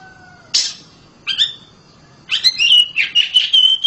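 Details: Home-kept oriental magpie-robin singing loudly: a harsh rasping note, then a short scratchy phrase, then a quick run of clear whistled notes ending in a sustained bright whistle. A faint low steady tone is heard at the start.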